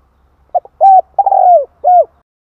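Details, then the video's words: Spotted dove calling to attract wild birds, a single clear phrase: short note, strong level coo, long trembling coo that slides down, and a falling closing coo, in quiet surroundings. "Chim cu gáy gọi kích bổi nhanh nổi hiệu quả"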